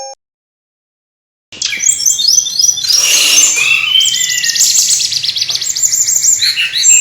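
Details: Busy brown-chested jungle flycatcher song, used as a lure to make birds sing: after a short silence, dense high whistled phrases with rising and falling slurs and quick trills overlap continuously, sounding like several birds at once.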